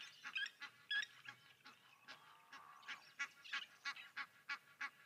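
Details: Egyptian geese with their grown goslings at Okaukuejo waterhole in Namibia, heard live: a busy run of short, nasal honks, about three per second, uneven in spacing and loudness, with faint chatter from other birds.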